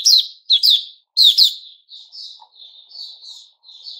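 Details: White-rumped shama recorded 29 August 2021 giving three loud, sharp whistled bursts in quick succession, followed by a series of softer, sustained warbling whistles.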